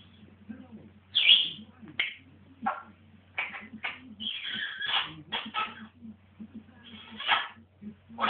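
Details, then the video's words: Pet African grey parrot indoors, described as going a bit mental, giving harsh, squawky calls in short irregular bursts, some shrill and rising, with brief gaps between them over a faint low hum. "my mad parrot"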